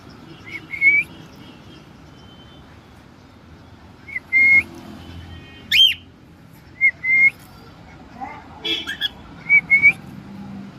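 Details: Cockatiel kept as a house pet producing short rising whistles and occasional harsh squawks at irregular intervals, roughly every two to three seconds, with low background hum.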